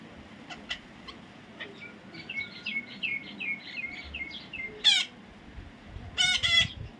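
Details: Baby parrot chattering in a string of short whistled notes, then bursting into loud, rasping squawks, one single and a double one at the end.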